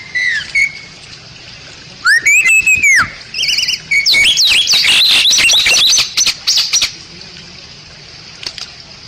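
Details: Song of the Bali myna, a protected species of Bali: a brief whistle, a loud arched whistled note, then a burst of wavering and chattering notes before fading clicks.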